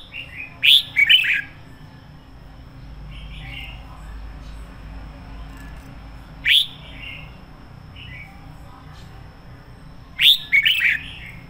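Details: Decoy red-whiskered bulbul in lively 'sổ bọng' song, meant for training singing or attracting bulbuls. Sharp, quick note clusters return at long gaps, with softer short phrases between, against a steady low hum.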